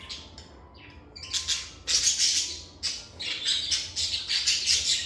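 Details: Lovebirds recorded in a calm environment, chattering in dense, loud bursts of shrill high-pitched chirps and squeaks that build after a quieter start, with little else heard.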